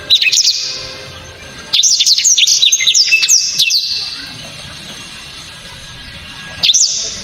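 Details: Blacktrod bird delivering loud, sharp, very clear 'tembakan' shots: a rapid burst of high whistled notes and quick down-slurs lasting about two seconds, a quiet pause, then a fresh burst starting at the end.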